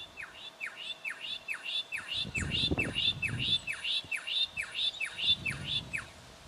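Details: Young brown goshawk, Victoria, Australia, October 2011, calling a long run of high, clipped notes that slur downward, roughly two per second, over some low rumbling background noise.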